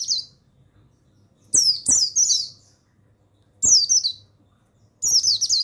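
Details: Male mountain white-eye song played to coax lazy pleci buxtoni into singing: bright, thin, descending twitters in three groups of two to three phrases, with short clicks at the start of each group.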